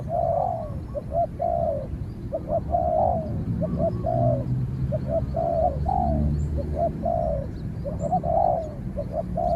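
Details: Two spotted doves fighting by voice, a decoy out on training and a wild dove that keeps its distance until chased away: dense run of deep, hoarse coos, short and long notes alternating almost continuously over low background rumble.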